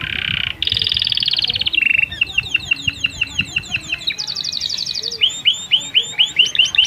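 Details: Canary, a vigorous singer with unique phrasing, used as a master song for young birds and to arouse females for mating; steady whistled notes, then rapid downward-sweeping chips, a higher buzzy roll and a run of rising chips.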